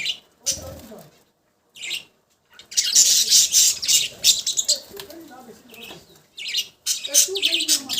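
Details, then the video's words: Budgies trade sharp, short squawks separated by silent gaps, then launch into a sustained stretch of loud, rapid, raspy chatter before more scattered chirps. "Cute budgies sound"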